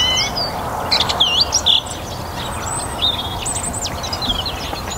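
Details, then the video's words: Song thrush in a North Antrim garden on a warm spring evening, delivering loud, varied whistled and twisting phrases with sharp high notes, set against a background chorus of other garden birds. "Song Thrush - evening chorus in my North Antrim garden."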